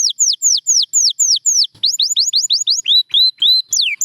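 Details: Champion canary song: a run of descending whistled slurs, then quicker rising notes, then a series of short upslurred whistles, clear and sweet with no other sounds.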